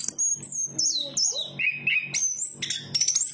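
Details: Chestnut-capped thrush singing high sliding whistles that descend in steps, a few lower notes, then bright rising phrases, a faint low hum underneath.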